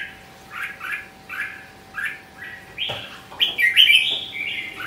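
Red-whiskered bulbul song: bright, bubbly two- and three-note warbled phrases, repeated every second or so, building into a louder rich burst near the end.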